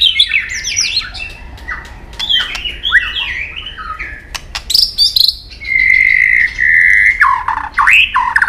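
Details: White-rumped shama singing in competition, long forest-style song while flicking its tail: rapid cascading whistles and chattering notes, loud clicks, then a sustained bright whistle and looping whistled phrases.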